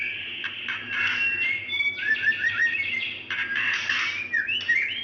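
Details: A female White-rumped shama calls for a male, a lure for lazy singing males; dense buzzy rasps alternate with short slurred whistles in quick uneven phrases, a constant low hum in the background.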